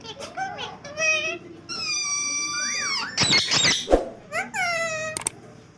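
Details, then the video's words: Two pet green ringneck parakeets talking to each other during a small fight; long level whistled notes and speech-like syllables broken by a harsh, noisy screech in the middle. "My Funny Green Talking Parrot |Parrots Speaking |तोता बात कर रहा है"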